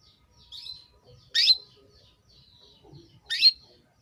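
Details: Female canary calling to a male to stir him into breeding condition: short, high sharp chirps about two seconds apart, with soft fainter whistled notes between them in an otherwise quiet setting.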